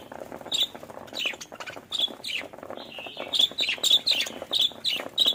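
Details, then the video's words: Happy pet budgerigar chirping: bright, sharp high chirps given singly and in quick runs, often clustered two or three together, over a faint background of rustling and clicking. "budgies chirping"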